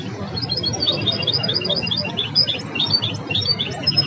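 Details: A goldfinch hybrid credited with mastering the Belghith, Jnan El Hsira and Si El Fahm song styles delivers a dense stream of bright, high twittering notes, evenly spaced, with a faint low droning background.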